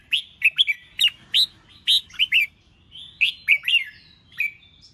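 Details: Red-whiskered bulbul sings the 'ché chét' contest voice used to goad other bulbuls into fighting song. Clear whistled notes, many with a downward slur, ring out in lively runs of three or four, about two phrases a second.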